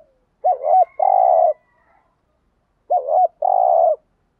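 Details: Decoy spotted dove cooing in styles such as thúc gù and gáy gọi. A low coo phrase sounds twice, about two and a half seconds apart: a quick wavering double note, then a long purring, vibrating note.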